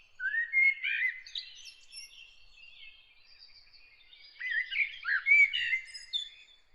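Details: Bird heard early in the morning delivering a warbled phrase of slurred whistles, a quieter stretch of thin high notes, then another bright burst of chirps and twitters.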